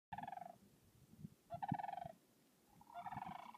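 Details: Sandhill cranes at Swan Lake, Yellowstone, in April 2016, crooning in spring: three rattling, rolling calls, each about half a second, with a rich harmonic, trumpet-like tone. Faint low rumbling sounds beneath.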